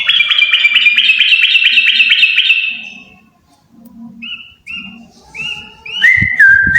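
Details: A pair of yellow-vented bulbuls singing: a rapid stream of repeated chirpy notes for about three seconds, then short separate whistled slurs ending in a longer clear whistle.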